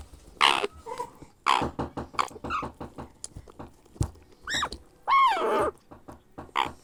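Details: A grey parrot hatchling being hand-fed gives harsh, raspy begging squawks and grunts in rapid bursts, with a few rising and falling nasal wails.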